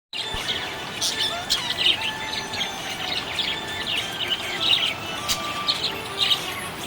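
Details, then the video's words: Happy budgerigar chirping: a steady stream of short, bright, high chirps and scratchy warbles in quick irregular bursts, set over a constant soft hiss of background noise. "Happy budgie chirping sound"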